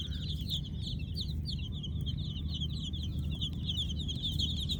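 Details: High, fast peeping from a group of Kolor baby chicks at night, the chirps running together in an even chatter over a loud low-frequency hum.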